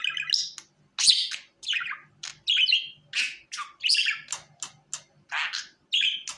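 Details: A pet budgerigar being called to the hand chatters in a fast, scratchy stream of warbles, squeaks and buzzy chirps, nearly continuous with short breaks, mostly high-pitched.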